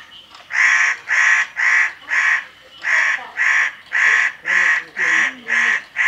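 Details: Spotted nutcracker at Okuniwa Nature Park, Japan, recorded 6 September 2021: a loud harsh rasping call repeated about twice per second in a steady series of ten notes, with faint low chatter beneath.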